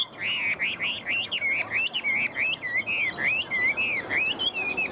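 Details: Caged Chinese hwamei in peak singing condition, giving a steady string of loud, rich warbled whistles that rise and fall, repeated roughly every half second over faint background noise.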